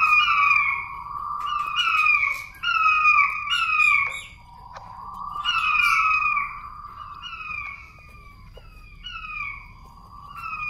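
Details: King quail lure call used to attract wild birds: long, sliding whistles falling in pitch, repeated roughly every second in overlapping series, with a faint hum underneath.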